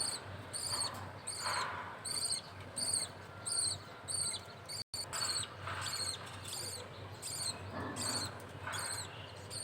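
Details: Male budgerigar feeding its chick in a pet setting; shrill, rasping begging notes repeat in a steady series, roughly one every three-quarters of a second, with a low background hum.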